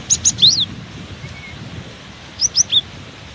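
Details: Cinereous tit singing in strong wind: two short phrases of three high whistled notes each, the last note of each sliding down, separated by a pause, with a low roar of wind beneath.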